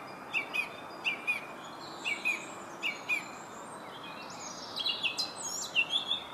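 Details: Song thrush in Herttoniemi, Finland, singing a short two-note whistled figure repeated four times. A faster run of varied high notes follows, with steady ambient noise.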